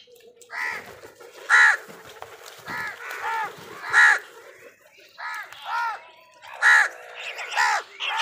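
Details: Crows fighting for food, giving harsh arched caws with stacked harmonics, repeated irregularly about every one to two seconds, loud and dominant, with a faint steady hum beneath.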